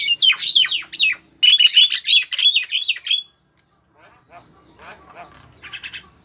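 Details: Female Javan myna calling a male: a burst of harsh, squeaky, chattering high notes lasting about three seconds, then near silence with faint scratchy notes in the background.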